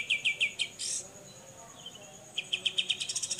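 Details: Besetan from a grey-cheeked bulbul (cucak jenggot), a clear tutor recording for songbirds: a few ringing chips, one harsh buzzy note, a lull with a soft whistle, then an accelerating run of sharp notes.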